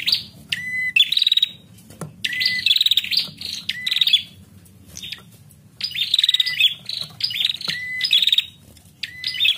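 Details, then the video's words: A female prinia, used to stimulate male prinias to call, gives bright, high chirping bursts with quick rising and falling notes, repeated every second or two over a faint low hum. "Prenjak Betina gacor Ampuh merangsang bunyi burung prenjak jantan"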